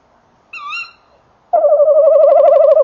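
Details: Near a nest box on a December evening in 2013, a male tawny owl with the female calling farther away: one thin, higher quavering note, then a loud, steady, vibrating trill.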